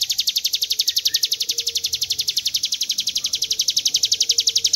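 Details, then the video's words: Long 'ngebren' trill of a Hill Prinia (ciblek gunung), a training recording: a fast, rattling series of sharp high notes, around nine each second, unbroken and even in loudness, with a faint lower tone in the background. "Ciblek gunung ngebren panjang"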